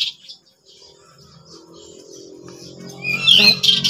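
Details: Pied bushchat, one of three birds singing in the full-volume ngeplon contest style: sparse high chirps and short whistled notes that build into louder, rapid twittering bursts near the end, over a low steady hum.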